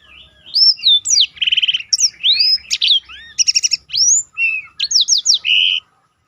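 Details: Roll-style song of a black-throated canary, recorded for training contest birds: a continuous run of bright whistled slurs, rapid clicking trills and sweeping high notes, repeated in varied bursts for about six seconds.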